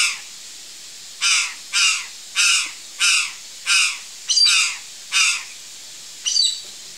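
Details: A curl-crested jay eating backyard fruits gives about eight harsh, loud, descending caws at roughly half-second intervals, ending with a quieter grating note.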